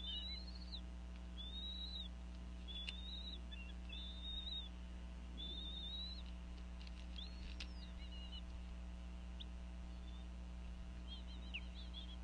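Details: At a bald eagle nest in Northeast Florida, the female calls over a fish while the pair feeds their eaglets in the afternoon. Thin, high whistled chirps come in short bursts, some slurred downward, against a constant low hum.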